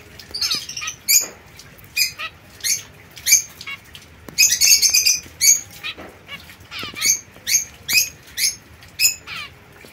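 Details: Young zebra finches, a white female and a mosaic male kept separately in captivity; steady sequence of short nasal honking chirps, roughly one or two per second, with a denser buzzy cluster midway.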